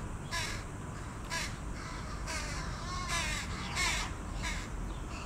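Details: Carrion crow juveniles, full-grown but still fed by a parent, beg for food with coarse, nasal caws repeated irregularly, roughly one or two a second, against constant background noise.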